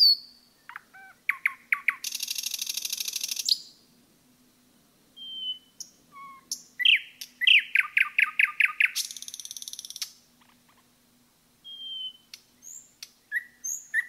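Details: A forest nightingale sings varied phrases: clicking notes, a long harsh buzzing trill, pure thin whistles, a fast series of accelerating chirps and another rattling trill, with pauses between phrases.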